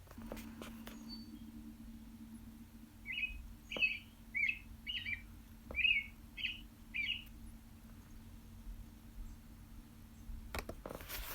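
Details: American Robin, seen in a yard picking up worms, calling: seven short, clear, slurred notes at a steady pace of about two per second, over a low steady hum and a few clicks.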